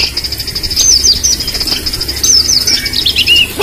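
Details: White-rumped shama at a bird singing contest, sending out short looping whistled phrases and a steady high trill, with background crowd noise.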